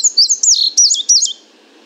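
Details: Indigo bunting heard from 50 feet through a parabolic microphone, delivering a bright run of high, paired, downward-slurred notes in four or five quick bursts, clean against a quiet background.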